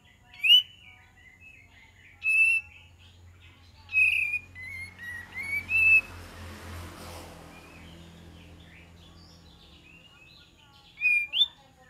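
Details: Olive-winged bulbul used as a lure, sparse sharp whistled notes and short slurred phrases spaced a few seconds apart, with a soft rushing noise in the middle and a faint low hum.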